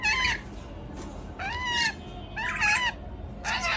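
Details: A male rainbow lorikeet gives loud, nasal squawks with a buzzy, rasping edge, each about half a second long and repeated roughly once a second.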